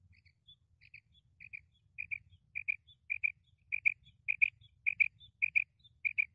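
A female quail gives soft, high paired chips, repeated about every half second and growing louder through the clip, over a faint low rumble.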